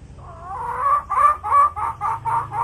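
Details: Hill myna copying a chicken's clucking: after a brief rising note, a steady series of about seven strong, nasal cluck-like pulses repeats roughly four times per second over a low background hum.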